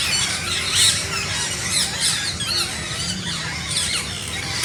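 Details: Parrots in their natural environment, many birds calling at once in a dense, continuous chatter of high, shrill squawks and squeals, overlapping without pause.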